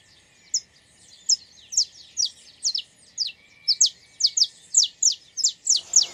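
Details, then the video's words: Wild saffron finch song, a run of bright, high chirps that start sparse and quicken to about two per second, each note a quick downward slur, with a soft thump at the very end. "Som do canto do pássaro Canário da Terra"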